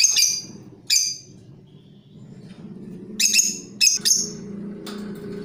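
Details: Creamino lovebird giving lure chatter for training birds: a few harsh chirps, a pause, then a quick cluster of three rasping notes, over a continuous low hum in the background.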